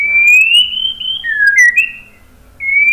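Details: White-rumped shama whistling loudly: a long, sustained clear note gently rising, a falling slur, two short fluting phrases, and a fresh rising whistle starting after a brief gap.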